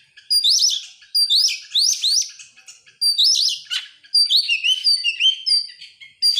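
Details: Oriental magpie-robin song used as a lure to get other birds singing: loud, varied phrases of rising whistles and sharp slurred notes in quick bursts, separated by short gaps.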